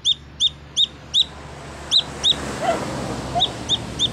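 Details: Little chick looking for its mother: loud, piercing peeps in an even series with short pauses, over a background hiss and a couple of low soft notes.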